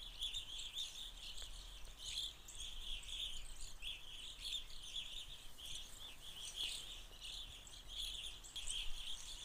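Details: A flock of Evening grosbeaks feeds in Forest County, Pennsylvania, during the fall 2020 irruption, giving a steady chatter of overlapping high, chirpy calls from many birds at once over a low background rumble.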